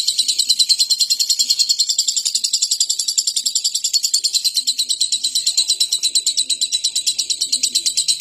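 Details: Long continuous lovebird ngekek, a high, rasping stream of quick, evenly pulsed notes running for over eight seconds, steady and unbroken.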